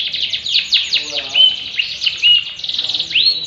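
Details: Yellow canary singing loudly: fast, bright trills and sweeping whistled notes, broken by a few clear, pure whistles and ending in a rising note.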